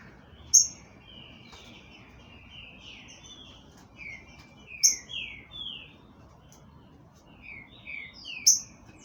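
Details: Green-winged saltator from a breeding facility singing short, rich whistled phrases that slide and slur, spaced by pauses, each burst opening with a sharp high click, over a quiet hiss.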